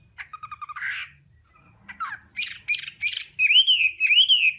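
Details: Hwamei song in the 'đảo âm' style for voice training: a fast stuttering series of notes, a brief gap, then harsh buzzy notes and two long, clear, wavering whistles at the end.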